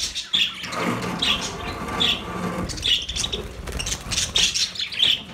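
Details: Budgerigars kept as pets chirping: short high squeaky notes recurring about once a second over a steady low rumbling background.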